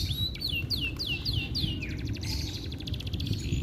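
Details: Indonesian domestic canary singing as a lure for birds that have gone quiet: a string of falling whistled notes followed by a rapid buzzy trill, over noticeable low-pitched background noise.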